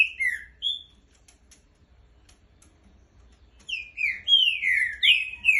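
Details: Loud whistled song of a green-winged saltator: a few slurred notes, a quiet gap of nearly three seconds, then a lively series of five or six sweeping, overlapping whistles.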